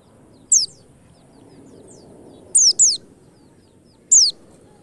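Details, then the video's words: White-eye lure recording meant to make white-eyes sing quickly: thin, very high whistled notes sliding steeply downward, one single, then a close pair, then another single, over a faint low background hum. "pancingan pleci 💯 % cepat ngalas"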